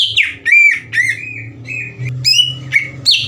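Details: Greater green leafbird singing vigorously, used as a lure to raise other leafbirds' agitation: varied clear whistled notes, some sliding down, others short and sharp, in quick irregular bursts over a steady low hum.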